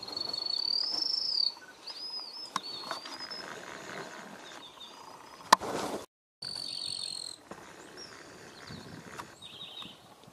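Pale-tipped tyrannulet giving thin, very high, slightly wavering whistled notes in short bursts, over a steady background hum of insects.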